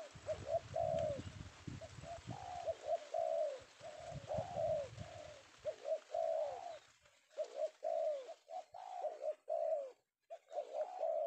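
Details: Spotted dove (tekukur), a male penguku bird secured one afternoon in Indonesia, cooing steadily in rolling, repeated phrases over a constant hiss, with low rumbling background noise early on.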